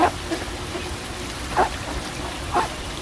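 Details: Ducks on a pond giving three short, harsh quacks spaced about a second apart over a steady background of trickling water.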